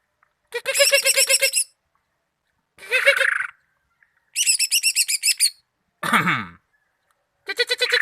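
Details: Greater green leafbird singing loud, buzzy, harmonically rich bursts of rapidly repeated notes. Each burst lasts about a second, separated by short pauses, and one burst ends in a harsh descending rasp.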